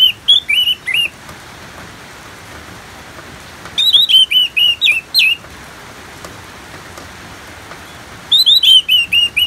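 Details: Orange-headed thrush, presented with natural rain as soothing therapy; three bursts of rapid whistled notes, each a run of five to seven quick warbled elements with high overtones, separated by several seconds of rain hiss.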